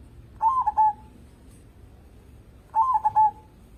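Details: Zebra dove used to draw other birds into song, giving two rolling phrases of quick soft trilled coos ending in a brief drawn note, spaced over two seconds apart, quiet hiss behind.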